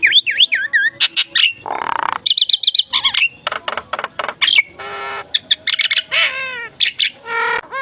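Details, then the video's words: Javan myna (jalak kebo) full varied song for training songbirds: looping whistles, a harsh rasping burst, rapid chattering notes, buzzy stretches and falling slurred whistles packed densely together. "Masteran full isian jalak kebo"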